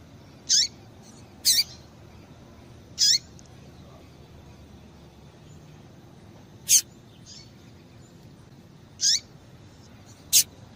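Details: Female double-collared seedeater calling to set males singing: six short, sharp, high chips spread over about eleven seconds at uneven intervals, some slurring downward, over a steady faint hiss.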